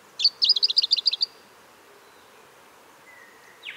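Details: Pink robin of Australia singing: a rapid, high, stuttering trill of about ten sharp notes lasting one second, followed by quiet with a faint thin whistle near the end.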